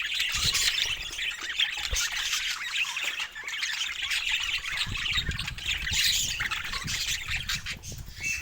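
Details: A flock of pet budgerigars keeps up a loud, steady squawking and warbling chatter for several seconds, with faint low knocks and rustles underneath.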